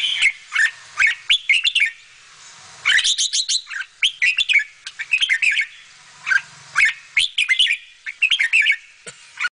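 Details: Bulbul parent feeding chicks; loud, busy chirping in dense bursts, sharp high notes and short whistles repeated many times, barely pausing throughout.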